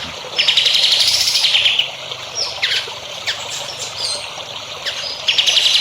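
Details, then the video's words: Songbird song used as a training recording for young songbirds: a loud, buzzy, high phrase lasting over a second, followed by scattered sharp chips and another buzzy burst at the end. "MASTERAN BURUNG HANDAL UNTUK CALON BURUNG JAWARA"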